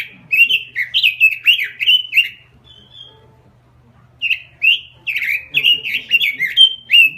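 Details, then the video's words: Singing robin: two bursts of fast warbling, rolling whistled notes that dip and rise, separated by a quiet pause, with a short thin whistle in the gap. "SUARA BURUNG ROBIN GACOR"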